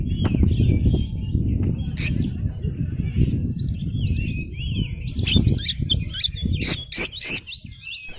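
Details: Oriental magpie-robin, singing hard with tail spread, played to provoke other magpie-robins to respond; quick warbled whistles and sharp ticking notes over heavy low background noise.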